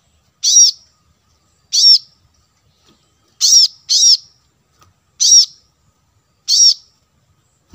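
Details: Plain-throated sunbird played as lure audio to attract wild birds; loud, high, arched chirping notes delivered singly or in quick pairs, roughly every second, against an otherwise silent background.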